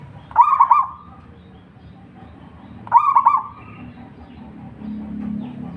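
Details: Local zebra dove (perkutut), used to entice other doves to sing, gives two mellow cooing phrases under three seconds apart, each with rapid pulsed notes sliding into a sustained tone. Low murmur late on.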